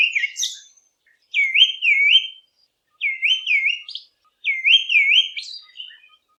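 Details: Olive Thrush, a common Eastern Cape (South Africa) garden bird, giving three clear, fluty phrases of quick rising-and-falling whistles, each about a second long, spaced roughly a second and a half apart; quiet otherwise.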